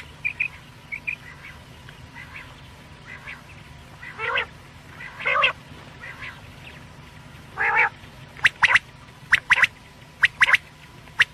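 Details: Night-time quail calls, opening with soft short chirps, then louder nasal harmonic notes, ending in bursts of sharp doubled clicks; low continuous background hum.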